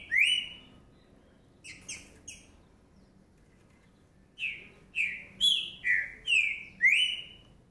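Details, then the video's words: Caged Green-winged saltator fledgling of 2019 whistles one strong note, adds soft short chips, then a quick series of six loud slurred whistles, rising and falling, with faint indoor hum behind. "Trinca ferro Beleza mais do que pronto"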